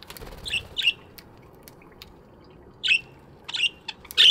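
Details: Budgerigars chirping in an aviary in the morning: short bright chirps in a few quick bursts, a pair near the start, a pause of about two seconds, then more chirps building to a louder squawky note at the end.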